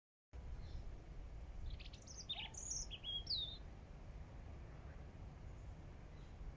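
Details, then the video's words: A European robin whispers quietly in a hedgerow, a brief burst of thin, high, sliding notes over about two seconds, set against a steady low rumbling background noise. "beautiful Eurasian Robin whispering"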